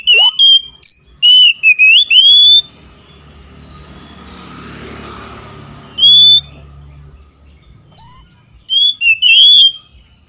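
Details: Oriental magpie-robin male and female answering each other, used to rouse other magpie-robins to anger and song: bursts of clear, high whistled notes, some sliding up or down, in short groups separated by quiet gaps with faint low hum.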